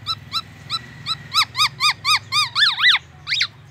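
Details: Black-naped oriole imitating oriental magpie-robin and an ambulance siren: spaced bright whistled notes that speed up into a quick series of arching rise-and-fall whistles, about four a second, with a steady low hum behind.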